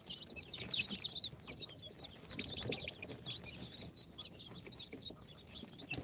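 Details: A crowd of newly hatched incubator chicks, Sultan, Golden Sebright, Cochin and booted, four days old, peeping in a thin, hissy, high-pitched jumble of squiggling notes with faint rustling.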